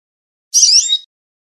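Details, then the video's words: In Southern Ontario, Canada, an American goldfinch on a small branch up in a tree gives one high, thin call of about half a second that slurs slightly downward, in near silence. "American Goldfinch Call and Chirp"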